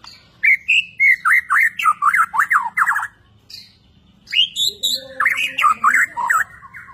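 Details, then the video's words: Borneo white-rumped shama singing actively: bursts of loud, sharply swooping whistled notes in quick series, a brief pause, then another rapid run of rising and falling notes. "Burung Murai Borneo beraksi gaya mempesona"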